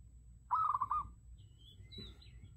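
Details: Zebra dove heard on a decoy recording: one short rolling trilled coo, followed by thin whistled notes from another bird in the background.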